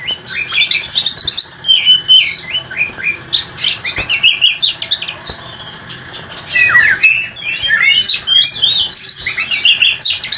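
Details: Continuous rolling song of an oriental magpie-robin, used to prompt other magpie-robins to reply; a dense stream of short chirps, slurred whistles and sharp trills with barely a pause.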